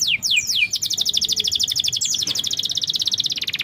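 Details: Canary singing on a lure track for a bird reluctant to sing: three quick downward-sweeping whistles followed by a long, steady, rapid high trill.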